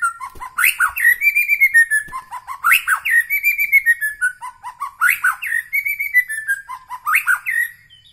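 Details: White-rumped shama from Medan Bahorok repeating rich, loud whistled phrases that swoop up and then glide down, about every one and a half seconds, each with a buzzy, chattering edge.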